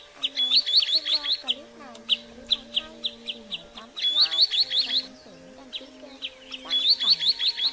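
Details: Common greenshank, recorded as a lure for catching migrating birds with nets at night. Groups of four or five quick high piping notes alternate with spaced single notes, with lower sliding sounds and a constant hum beneath.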